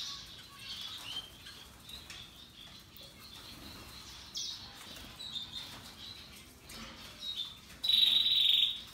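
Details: Singing Russian yellow and Timbrado canaries: faint twittering phrases throughout, ending with a loud, sustained rattling trill of nearly a second.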